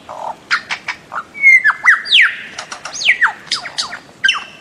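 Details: Bird-of-paradise producing a string of squawky notes and sharp downslurred whistles, fairly irregular, with short clicks in between.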